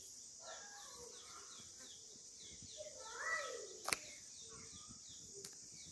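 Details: Cedar waxwing nestlings in a nest found in a garden yard give a thin, very high, hissing whine with repeated short downslurred squeaks; lower whistled notes and one sharp click come through faintly.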